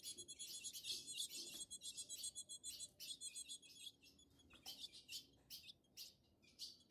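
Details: Wild ultramarine grosbeaks, a fiery male mounting a female, free in Brazilian forest; rapid harsh broadband chirps repeated several times a second, irregular, over steady high insect-like tones.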